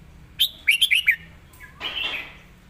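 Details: Red-whiskered bulbul's emphasized master-style song: a sharp note followed by four rapid bright warbled whistles, then a brief rustling, noisy burst afterwards.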